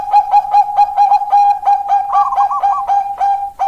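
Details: Rapid repeated kok notes at one steady pitch from a Bangkok zebra dove, broken by a brief warble, meant to prompt idle doves to sing.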